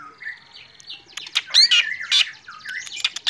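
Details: Morning song of a black drongo in full voice, mixing thin whistles and short rising notes with loud harsh, buzzy bursts and crackling rasps in quick succession.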